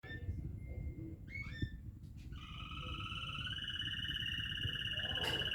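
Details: Waterslager canary singing: a few short chirped notes, then a long sustained, finely wavering whistled tone held for over three seconds. Steady low rumbling background noise runs underneath.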